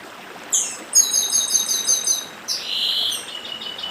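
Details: Chestnut-bellied seed finch from northeastern Brazil singing beside a stream: a high sliding whistle, then a fast run of bright repeated notes, ending in a lower drawn-out whistle and softer trill, over a light water hiss.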